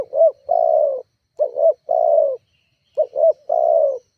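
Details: Spotted dove call meant to wind up a rival, played as a lure; three steady phrases of two quick upswept coos followed by a drawn-out descending coo, about one phrase per second and a half.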